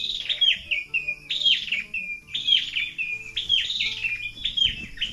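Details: Rural morning chorus in Negros Oriental, Philippines, with birds like alimokon, tukmo, pirok-pirok, kukok and punay: sharp high chirps falling into short whistles, repeated roughly every second, low droning hum in the background.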